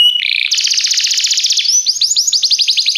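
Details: Short burst of Belgian canary training song: a buzzy note leads into a dense, fast rolling trill, then a series of clear, rising, chirp-like whistles repeated in quick succession.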